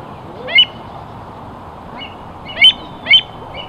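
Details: American avocet (Recurvirostra americana), call.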